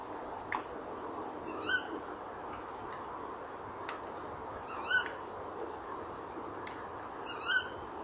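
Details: Tawny owls at a nest box at 18:17 on 19 November 2013: the male calls and trills and the female answers. Three sharp, harsh calls about three seconds apart, with fainter clicks between them over steady hiss.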